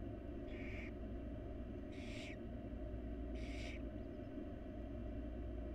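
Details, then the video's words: Wild barn owl chicks begging in a nest box as their mother feeds them: three rasping hissed screeches, each about half a second, spaced regularly, with constant low rumbling noise beneath. "Barn Owl Parenting: The Tender Moments of Feeding Her Babies"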